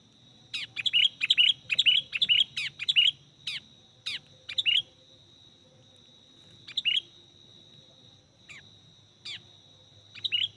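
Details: Sooty-headed bulbul heard during lure trapping of birds: dense clusters of sharp chirps early on, then single scattered notes spaced a second or two apart, over a steady high-pitched hum.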